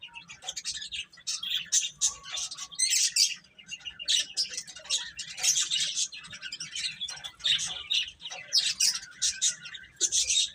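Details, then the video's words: A steady stream of sharp, high chicks' peeps comes in repeated clusters about every second, many birds calling over each other throughout with no long pauses. "Cute Chicks Chirping Sounds"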